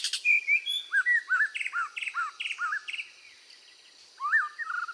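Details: Red-whiskered bulbul in full, vigorous training song meant to rouse its spirit: a run of short, bouncy, slurred whistled phrases in quick succession, a brief lull, then another lilting phrase.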